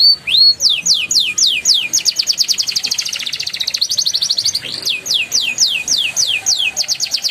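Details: Canary song used to prompt young canaries to sing: fast repeated downward-sweeping whistled notes, about four per second, with rising slurred notes and a trilled roll in the middle.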